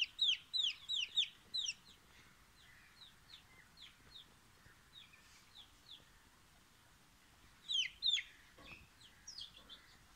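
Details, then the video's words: Fearful chicken chick: a rapid run of loud, high, downward-sliding peeps, then softer repeated peeps, then another loud burst, with low background hiss. "FEARful chick"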